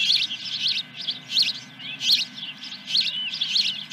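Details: Osprey calling at its nest at Dunrovin Ranch, 10 July 2021, mid-morning: clear high whistled chirps in bursts roughly every half to two-thirds of a second, some notes arching up and down, over a quiet low hum.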